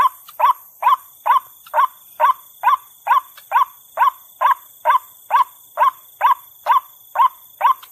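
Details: Trapping lure of white-breasted waterhen: a long, very regular run of short, harsh notes, about two each second and uniform in tone, over a steady faint high-pitched hum.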